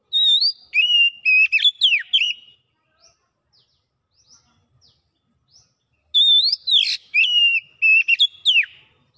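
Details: Gacor song of an Oriental magpie-robin (kacer) showing off its repertoire. Two bursts of rich whistled and slurred notes mixed with rapid chips are separated by about three seconds of quiet with a few faint notes.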